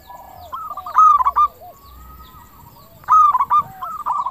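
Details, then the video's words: Local zebra dove song meant as a lure so other doves answer fast. Two loud bursts of tumbling, bubbly coos about two seconds apart. A softer second dove is heard between and after them. "PERKUTUT LOKAL GACOR SUARA KRISTAL - Pancingan perkutut bikin cepat nyaut"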